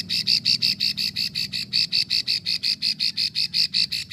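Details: Plain prinia female in Ulujami, Central Java, making the long 'ngekrek' klik call used to draw in males. A steady run of about twenty sharp, high ticking notes, evenly spaced, with faint low background hum.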